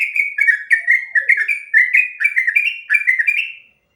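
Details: Sooty-headed bulbul singing its long ropel song, meant as master audio for training other birds. Dense, bubbly whistled notes dip and rise in a rapid, even chain before ending abruptly.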